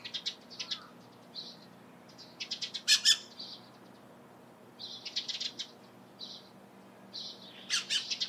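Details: Dusky Thrush near Lake Hamana, Kanzanji hot spring area, Japan, giving bright, clipped high calls in clusters of several notes, with a loud burst midway and more groups after pauses.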